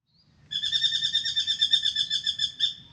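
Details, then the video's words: Spangled drongo singing in the morning in an Australian backyard, visiting a birdbath for a drink: a fast run of about thirty evenly spaced metallic, stacked notes lasting two seconds, bright and twangy, over a quiet low hum. "Beautiful Spangled Drongo sings and comes for a drink"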